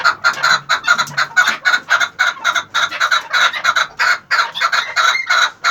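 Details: Repeated clucking calls from an 11-month-old chukar partridge: strong, evenly pitched notes in a steady, quick rhythm of about three per second, each with a buzzy overtone.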